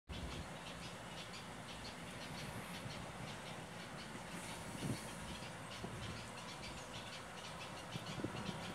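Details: A passing train rumbles and clatters steadily through a rural setting, with broad rushing noise and no animal voices heard.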